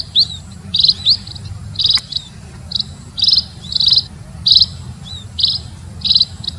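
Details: Lure call of munias (emprit) for attracting the birds: bright, high, clipped chirps at roughly every three-quarters of a second, a few with a thin rising slur, over constant low hum.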